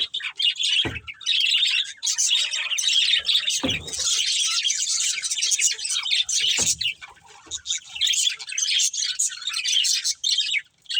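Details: Budgerigars, a breeding pair, chirping continuously: dense, scratchy high warbling chatter with quick tweets, nearly unbroken, with a few soft low thumps.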